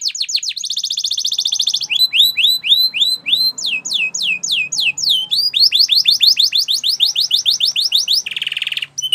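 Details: Spanish Timbrado song from a canary, meant for teaching other canaries: falling whistles, a loud buzzy roll, a long series of downslurred notes, and a closing rough buzz.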